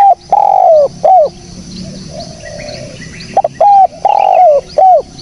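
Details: Spotted dove coos for luring birds: a long downward-sliding coo and a short note, a quiet stretch with faint chirps, then another phrase of short, long and short coos.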